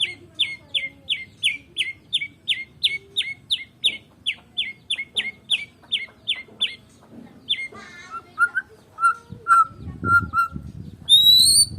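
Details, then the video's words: White-rumped shama, Medan type, with no rival: a long, even series of sharp, high, down-slurred chips about three per second, then lower whistles and rustling noise, ending with a high whistle. "KICAUAN BURUNG MURAI BATU MEDAN TANPA LAWAN"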